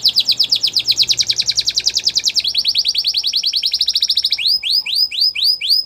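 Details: Gloster canary singing in a training recording: a fast, even trill of repeated high notes shifts to a slightly lower rolling trill, then ends in slower upswept whistled notes, with a faint low hum behind.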